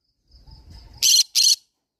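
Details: Green-cheeked conure parrot: soft faint chattering, then two loud, harsh, buzzy screeches in quick succession.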